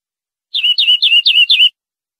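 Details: Clean tutor song of the European greenfinch for captive-bird training: five even notes, each a steep downward slur settling into a held whistle, delivered in a quick regular phrase with a silent background.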